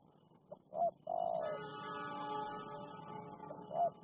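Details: Wild spotted dove responding to a decoy, with two short notes and a long coo, followed by a steady, tonal humming sound lasting about two seconds, then another short coo near the end.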